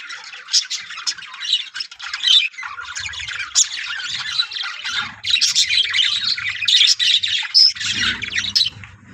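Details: Breeding colony of yellow budgerigars filling the air with busy, high, scratchy chatter and squawks. Faint low rumbling noise sits underneath, strongest toward the end.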